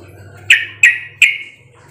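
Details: Calls of a sooty-headed bulbul, used to lure others into replying: three separate sharp chirps, evenly spaced about a third of a second apart, over a low hum.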